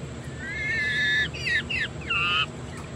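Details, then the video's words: Female Coturnix quail calling while laying her egg, a homestead bird: loud, strained, harmonic notes, first two long level tones, then short falling and rising squeals, ending in a steady held note, with quiet background hiss. "Coturnix Quail Laying Her Beautiful Egg"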